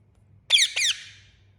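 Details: An Indian ringneck parakeet gives two loud, harsh, high squawking chirps in quick succession, the second trailing off, in an otherwise quiet setting with a faint low hum.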